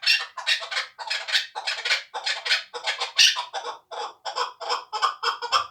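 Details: Hunting chukar partridge, two years old, kept in Tojikobod district, Tajikistan: a long run of loud, rasping chuck notes, roughly three per second, some rising in intensity midway, uninterrupted by other noise.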